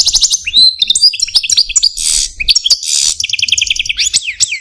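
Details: A caged male goldfinch of the Algerian Parva form sings an intricate song of quick high trills, two harsh buzzy bursts and clear slurred whistles, delivered almost without pause.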